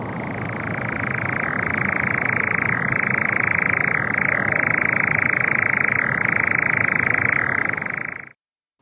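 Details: A Eurasian Nightjar churrs from a tree overhead in 2023, possibly the last one before migrating, in one long, unbroken mechanical trill, steady in pitch with brief dips every second or so, then stops abruptly.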